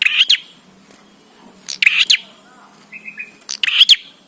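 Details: Bar-winged prinia in vigorous song for training prinias to sing: three raspy, clicking bursts about 1.7 seconds apart, with a short, soft trill between them.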